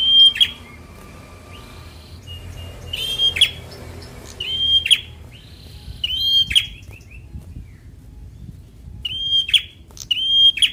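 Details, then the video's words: Bar-winged prinia, a young fighter-type bird, singing in a recording used to provoke reluctant birds to sing: a steady high whistled note ending in a harsh buzzy burst, repeated four times with pauses, over a low background hum. "Prenjak Semi Muda fighter || Rangsang bunyi burung Malas bunyu"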